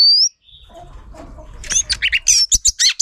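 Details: Female Oriental magpie-robin, used to stimulate males, ends a rising whistle, then quick bursts of sharp chirps and twittering notes follow over a low background rustle.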